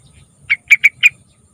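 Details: Sooty-headed bulbul song meant to coax young bulbuls to sing: four bubbly whistled notes, the first set apart, then three in quick succession, crisp over a quiet background.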